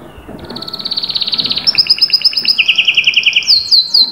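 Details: Singing canary: a rapid high trill building in volume, switching to a run of paired notes and a lower fast trill, then closing with sweeping slurred whistles.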